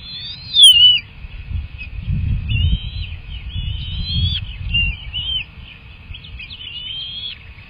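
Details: Bald eagle nestlings during a feeding session, a sharp loud downslurred whistle followed by several thin, level and slightly rising whistled calls, with a soft low rumble throughout.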